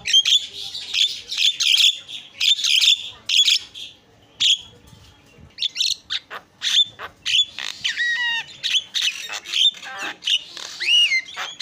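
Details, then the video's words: Javan myna in busy song: dense harsh squawks and rasps, interrupted by curling whistled phrases that sweep up and down, almost without pause. "FULL MASTERAN KICAUAN JALAK PALING YAHOOD"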